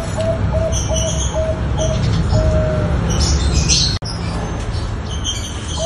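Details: Zebra dove of the Bangkok strain giving lure coos meant to spur another bird into singing: five quick soft coo notes followed by a longer held coo, backed by constant low rumbling noise and scattered thin high-pitched chirping.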